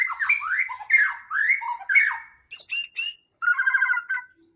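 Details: Singing white-rumped shama, played to provoke rival shamas to sing: rich swooping whistled phrases mixed with harsh squawky notes, ending in a short vibrating trill.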